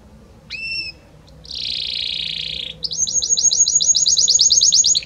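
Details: Belgian canary singing a song of many notes. A clear two-tone whistle opens, followed by a high buzzing trill lasting over a second, then a long rapid series of bright repeated chirps speeding along steadily.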